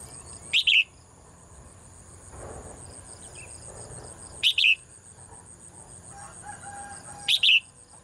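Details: Female bird singing in a cage in the morning: three short sharp double chirps spaced a few seconds apart, with quiet murmuring noise between them and a constant high-pitched whine throughout.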